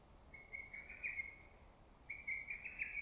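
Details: Lesser cuckoo calling from woods in early summer greenery; two loud whistled phrases around a second long, each a run of quick staccato notes with a slight rise, separated by a pause, over faint steady background hiss.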